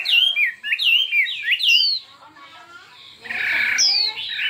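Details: A Chinese hwamei sings in a contest with many-voiced, fiery song: a quick series of looping whistled notes, a brief quieter gap, then a harsh, noisy burst followed by a bright downslurred whistle.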